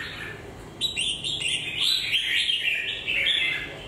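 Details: Red-whiskered bulbul with red legs and a moulting beak: after a quiet start, a run of bright, warbled whistled phrases, each note quickly rising and falling, chained almost without pause over about three seconds.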